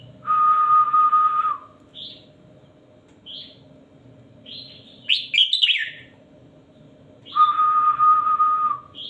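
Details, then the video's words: Caged red-whiskered bulbul singing short whistled phrases: a long steady buzzy note near the start, brief upslurred chirps, a richer warbled phrase midway, then another long steady note, with a constant low hum underneath. "#นกกรงหัวจุกนับดอก #นกกรงหัวจุกเสียงครู"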